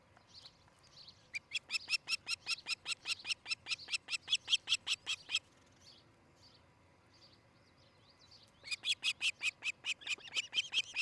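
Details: Nesting Osprey, Charlo, Montana, nest cam, 13 July 2018, early morning: a long string of loud, clipped, high whistles in quick succession, a pause with faint chatter, then another urgent burst of piping notes.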